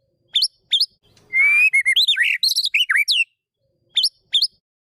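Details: Singing magpie-robin, played as practice for a silent caged bird: isolated high chips, then a rising whistle and a dense burst of bright, warbled notes, ending with two spaced chips.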